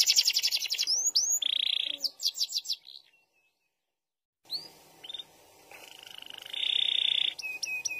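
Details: Canary of the SF type singing a long rolling song: fast trills, upswept whistles and a sustained buzzy roll, broken by a silent gap of over a second before the rolling and whistled phrases resume.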